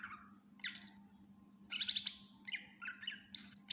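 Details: Cucak ijo (greater green leafbird) in full-isian song used to tutor other birds: a low slurred note, then high ringing whistles, a scratchy chatter and quick stuttered chips, with a low hum in the background.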